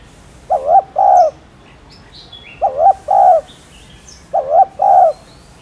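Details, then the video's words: Spotted dove cooing for spurring newly caught birds to coo: three evenly spaced low phrases, each a brief wavering coo then a longer smooth coo, about every two seconds, with sparse high twitters in the background. "Cu Gáy Thúc Chay Bổi Nghe Gáy Liền.... . Tiếng Cu Đất Gáy , Cu Cườm Gáy Kích Bổi"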